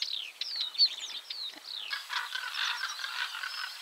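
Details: Northern wheatear, recorded at 51.880518, 20.117200, gives a quick run of high, sweeping whistles, then breaks into a dense, scratchy, crackling warble.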